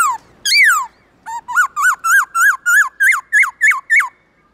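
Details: Black-throated laughingthrush singing its wild-type song in the morning: a long descending whistle, then a rapid run of about ten clear, rising-then-falling whistled notes, each under half a second.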